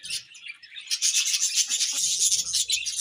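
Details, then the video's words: Budgies chattering: a brief chirp, a pause, then a loud unbroken burst of high, rasping warbles and squeaks, with faint low rustling underneath. "Beautiful Budgies Chirping Sounds"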